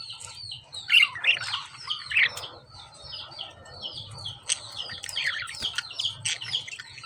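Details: Chattering lovebirds: a loud burst of rapid, high, scratchy chirps early on, then continuous softer twittering from several birds over a low background hum.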